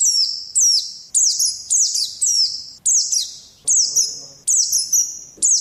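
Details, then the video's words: Captive Oriental white-eye on training audio for pet birds, ngalas style: shrill notes that start high and drop steeply into brief trailing tones, roughly two per second in an uneven, lively rhythm. "Pleci malas jadi ngalas || TERAPI PLECI"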